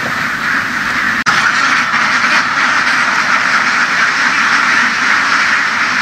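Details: Laying ducks herded through the fields in western Vietnam, a dense, continuous wash of overlapping quacking from the flock with no clear gaps, and a single sharp click partway through.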